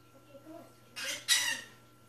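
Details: Pet African parrot learning to talk, with words such as tata, hello and bye bye. Two quick, harsh, breathy syllables sound like a mimicked "ta-ta", and the word is repeated before and after in a quiet room.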